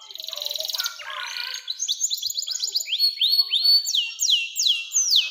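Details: Canary singing a long phrase for training young birds: a buzzy rattling trill, short chips, then a steady series of loud rising whistled slurs repeated about twice a second.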